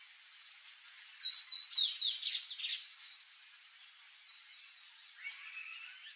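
Palm Tanager giving a rapid, high, squeaky run of thin chirps and short slurred notes for about three seconds, followed by fainter scattered high notes.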